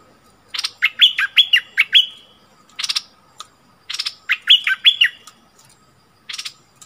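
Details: Caged decoy bulbul singing at wild birds, recorded 28 February 2021; clusters of loud clicks and quick falling whistles alternate with single isolated clicks, over a quiet background.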